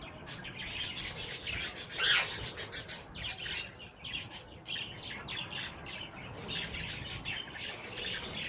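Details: Shrill, rasping squawks and chirps from mating wild green ringnecks, roughly one or two per second, with a louder harsh burst near the start.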